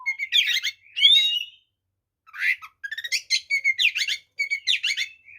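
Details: Oriental magpie-robin singing a vigorous fighting song with full mimicry, used to provoke other magpie-robins: bright whistled notes and sliding phrases, then after a pause a burst of fast, chattering, stacked notes repeated in quick bursts.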